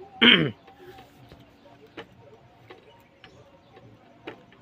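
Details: A talking pet parrot eating guava gives one loud, harsh, rasping squawk of about a third of a second near the start, followed by near quiet with a few faint clicks and soft background noise.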